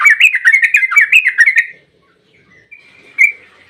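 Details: Yellow-vented bulbul, singing vigorously as bait for other bulbuls, opens with a quick string of bubbly rising and falling whistles, then falls to a soft thin drawn-out note and a single loud chirp.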